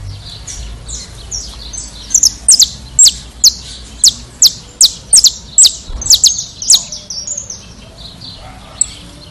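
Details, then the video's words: Saffron finch, known in Brazil as canário-da-terra, singing a series of sharp, high descending chirps repeated roughly every half second in bursts, with quieter twittering between and faint low background hum. "Melhor Canto Canario Canário da Terra do Brasil"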